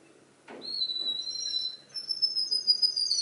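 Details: Canary mimicking other birds' songs: after a knock, a steady high whistled trill that jumps to a still higher trilled phrase.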